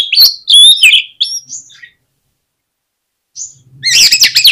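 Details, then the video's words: Provocation song of an oriental magpie-robin: bright, varied whistles and buzzy chirps, a short silence, then a renewed burst of harsh, rapidly repeated notes. "PANCINGAN KACER INI BIKIN GACOR MAKSIMAL || KACER LAIN PUN PASTI BAKALAN KONSLET"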